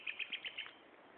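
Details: Common nightingale song at Gaasperzoom, 16 May 2012, mid-afternoon: a short run of five loud, evenly repeated chirping notes, about five per second, then a fading tail over faint hiss.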